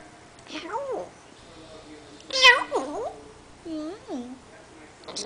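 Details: Pet parrot indoors talking in a run of varied, speech-like phrases with sliding, wavering tones and a sharp squawk near the middle, in short bursts separated by brief pauses.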